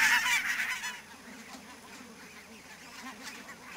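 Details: Barnacle geese in fog at Niittylahti, Savonlinna, Finland, on 2 October 2011, give a loud burst of sharp, yapping honks in the first second, then fainter overlapping calls from the rest of the flock.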